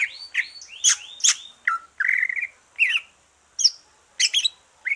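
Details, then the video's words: Green leafbird, caged, freshly through its moult and used as a singing stimulus for other birds; separate bright phrases of swooping whistles, a short warbled trill and clipped chips, spaced by brief pauses. "rangsangan cucak ijo selesai nyulam"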